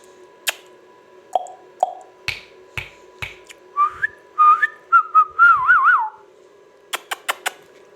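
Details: Ringneck parrot whistling a halting series of short rising notes that build into a wavering swooping phrase, amid scattered finger-snap-like clicks and taps in a small room.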